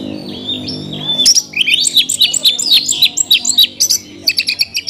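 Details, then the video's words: Oriental magpie-robin song in the rich isian style: soft high whistles open over a low hum, then a dense outpouring of fast squeaky warbles, slurred notes and staccato clicks carries on to the end. "kacer isian mewah"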